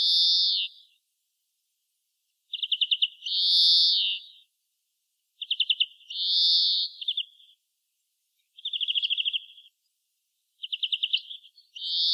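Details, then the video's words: Singing greenfinch: opening buzzy wheeze, then repeated pairs of a quick trill followed by a drawn-out nasal wheeze, spaced a couple of seconds apart, later trills standing alone before a final wheeze. "Как поёт зеленушка обыкновенная"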